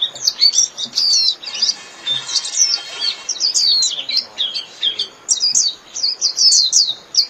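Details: High-pitched twittering from a Japanese white-eye calling its flock, with a quick chatter of slurred chirps, a short lull, then renewed bursts of rapid whistled notes.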